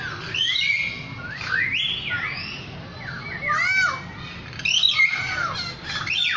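A lyrebird sings a rich, varied run of loud whistles, swooping slurs and rapid chattering phrases, changing sound every second or so over a low background hum.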